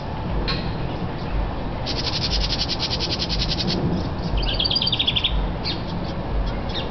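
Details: A house wren feeding nestlings at a nest box in northern Kentucky gives a fast, harsh, buzzy scolding chatter to warn off a person about five feet away, then a brief bright trill, over a low rumble.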